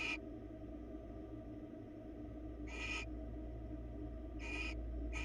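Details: Barn owls watched by a Florida nest-box camera make a few harsh, noisy hissing screeches, each under half a second and spaced nearly two seconds apart, against a steady background hum.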